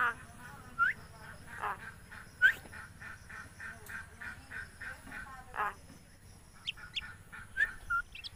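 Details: Common myna, a talking bird from Bangladesh, giving a series of raspy chattering notes with a few sharp upslurred whistles scattered between them, against faint background hum.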